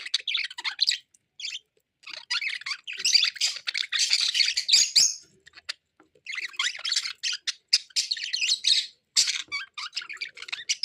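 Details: Budgerigar (Melopsittacus undulatus), warble: male calling to a female.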